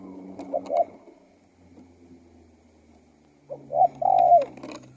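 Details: One clear spotted dove phrase near the end, with two short coos then a long, falling note, after a quieter broken phrase at the start. A low hum and some clicks are heard throughout.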